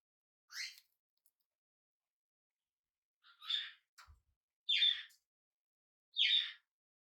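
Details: On its first day home, a hand-reared tame budgie calls with hoarse chirps, one isolated note then three stronger raspy calls at irregular intervals of over a second, with a faint knock.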